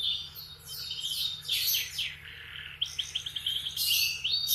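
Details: Canary singing in the morning, a fast run of high sweeping and trilled notes with bursts of rapid chirps, loud and continuous for most of the clip.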